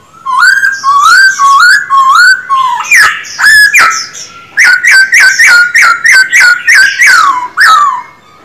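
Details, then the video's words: Loud, vigorous song from a caged male silver-eared laughingthrush being trained to sing: rapid repeated whistled phrases, each note bending up then down, delivered about two per second almost without pause. "Khướu bạc má hót quá đỉnh"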